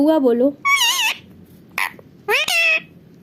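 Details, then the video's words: Pet parrot indoors perched on its mirror frame, excited at its own reflection and saying words it knows: three short bursts of wavering, strongly harmonic, voice-like sounds, the first lower and warbling, the last two higher and bright, in a quiet small room. "bolne wala tota"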